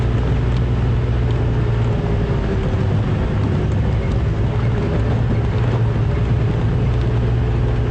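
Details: A loud, constant vehicle engine rumble fills a game drive at a South African reserve in February, with no animal voices heard.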